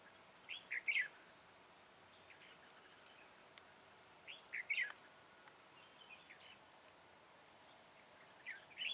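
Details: Red-whiskered bulbul recorded during bird trapping on 21 September 2017: brief warbling bursts of two or three quick whistled notes repeated every four seconds or so, with faint clicks between them.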